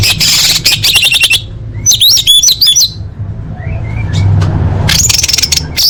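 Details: Orange-headed thrush singing full fill-in phrases for contest training: fast high buzzy trills, a wavering whistled run, a soft rising slur and renewed high trilling, against a low constant drone.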